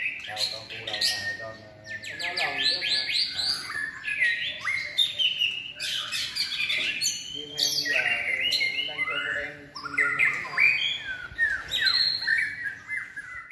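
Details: White-rumped shama, a caged bird in its third season trained for competitive singing, delivering a long varied song of rapid ringing notes, trills and clear whistles in dense, repeated bursts with short gaps between phrases.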